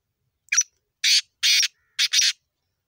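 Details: Black francolin calling: a short rasping note followed by two longer harsh, buzzy bursts and a closing double rasp, the phrase spread over about two seconds in quiet surroundings.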